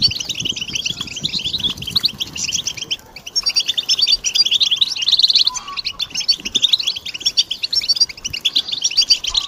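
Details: European goldfinch song meant to stimulate birds: a continuous, lively stream of tinkling, twittering notes and quick buzzy trills, full of fast rising and falling chirps, with a short pause near the third second.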